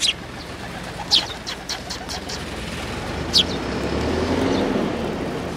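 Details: Sparrow with an injured beak tip at a Tenmangu shrine, 20 August 2022: short, sharp, high chirps, singly and in quick pairs, over a constant low rumble of traffic and ambient noise.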